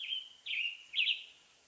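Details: Western tanager song, western North America: three burry slurred phrases, softer and more distant, the last the strongest, over a light steady hiss.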